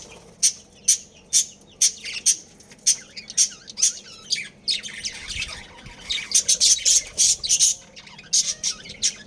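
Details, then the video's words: Breeding colony of captive budgerigars: sharp, harsh high squawks repeated roughly every half second in a steady series, then a denser cluster of rapid calls, over soft background twittering. "Budgies Breeding Pair | Budgies Family"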